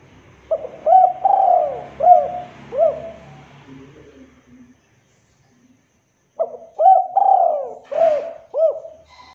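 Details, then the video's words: Spotted dove of the local type calling as a lure for other doves: two cooing phrases of hooked, hollow notes and a long drawn coo, with faint low hum and a brief scratchy noise during the second phrase. "Pancingan Derkuku Lokal TERBAIK Paling Cepat Bikin Derkuku Macet Bunyi"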